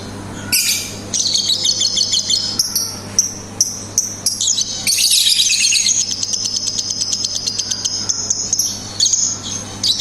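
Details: Lovebird voicing ngetik and ngekek: a loud, rapid, rattling high trill that runs for several seconds after a few sharp opening bursts, with scattered clicks and a faint low hum.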